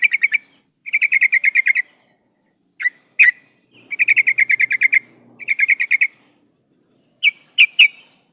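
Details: Sooty-headed bulbul female in breeding condition calls the male with repeated fast chirp bursts of about eight notes, spaced by pauses and single clipped notes, ending in three sharp separate upslurred notes.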